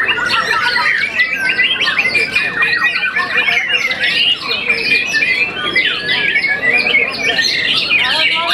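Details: Young white-rumped shama, moulted once, a contest winner, singing a dense, fast, unbroken stream of varied chattering notes, sharp slurs and squeaky whistles, busy and loud throughout.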